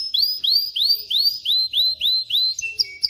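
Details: Male canary singing to teach chicks to sing and bring females into mating readiness: a steady run of rising whistled sweeps, about six per second, each bright and ringing, ending with lower flat notes.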